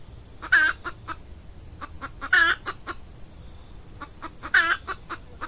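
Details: Lure hen red junglefowl calling to draw in wild males at a scrubby peatland site during the active season: three loud, harsh bursts about two seconds apart, each followed by softer short clucks, with a constant high insect drone behind.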